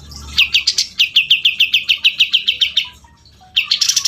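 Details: Cucak jenggot, the grey-cheeked bulbul, delivering a brisk row of about fifteen crisp, repeated chirps, followed by faint low whistles and then a fresh, higher burst of notes.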